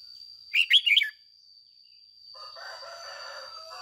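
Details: Red-whiskered bulbul used as a decoy, singing excited 'ché' song in the morning: a single rapid phrase of four slurred, whistled notes, followed by low rustling noise and a steady high background tone.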